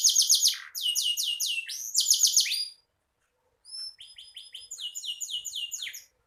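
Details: Canary song recorded for tutoring songbirds: bursts of rapid high repeated notes, a short silence, then a clear thin whistle leading into fresh quick chattering phrases.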